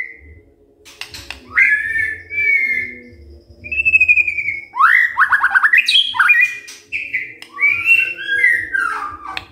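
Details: Morning song of a white-rumped shama used to make quiet birds sing back: bright slurred whistles, a level buzzy note, a fast trill of downstrokes, and closing looped phrases, over a constant low hum.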